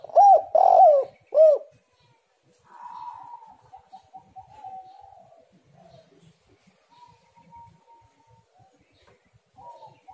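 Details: Lure recording of a spotted dove: a quick burst of three deep, rounded coos, then quieter faint wavering notes and soft clicks trailing off in near silence.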